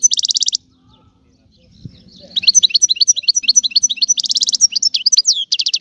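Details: Sicilian European goldfinch in a rare, old-style song: dense nasal buzzy bursts open and close the phrase, with a fast, liquid, tinkling twitter of rapid notes between them and a faint low hum in the background.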